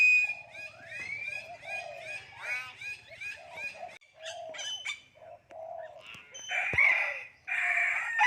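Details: Common hill myna imitating human speech: rapid chattering, talk-like syllables for the first few seconds, then scattered whistles and a loud, harsh, broad burst late on, with a sharp click in between.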